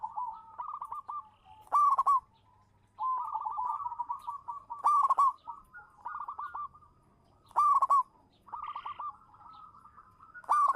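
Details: Local zebra dove song from a champion lure bird: bursts of rapid, bubbling coos end in a loud ringing note. Phrases repeat roughly every three seconds, with quieter cooing in the gaps.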